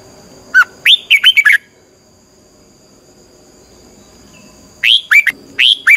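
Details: Red-whiskered bulbul training song, twisting "xoắn tít" style for stimulating birds: a crisp run of rapid whistled notes, a three-second pause, then another lively phrase of rising and falling whistles.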